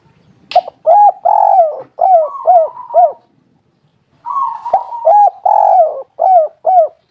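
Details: Spotted dove (tekukur) lure call to get other doves calling: two phrases of repeated rounded, arching coos mixed with longer buzzy notes, about two coos per second, with a short gap between phrases.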